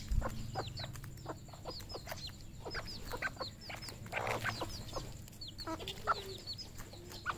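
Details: A group of red junglefowl at a farm in Cambodia: many high, falling peeps interleaved with short clucks and a few harsher calls, over a continuous low hum.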